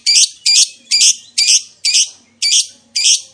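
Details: Lovebird calling to make other lovebirds reply: a steady series of seven harsh, raspy squawks, one about every half second, each loud and evenly spaced, over near silence.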